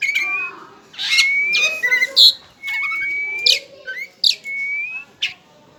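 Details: Caged white-rumped shama, togar type, alternating long clear rising whistles with loud sharp chirps and scratchy bursts, the phrases separated by short pauses, against a soft low hum.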